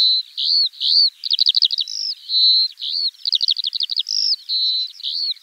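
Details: Spring song of a Eurasian skylark, bright sustained whistles alternating with fast rattling trills of short repeated notes, delivered without pause in a clean recording.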